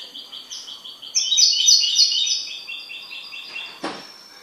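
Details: Owned goldfinch pours out a continuous fast twitter of high, ringing notes with a buzzy crescendo in the middle, ending with a sharp click-like knock near the end.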